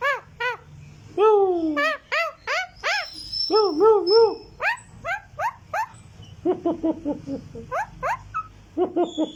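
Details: Green talking parrot giving a rapid mix of arched whistles, a long falling drawn-out note, squeaky chirps and short clipped harmonic calls, with a low steady hum behind.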